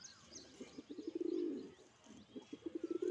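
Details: Male fantail pigeon cooing in display: low throaty coos in a rapid pulsed series, swelling into a sustained rolling coo mid-clip, then more short pulsed coos; faint chirps from other birds in the background.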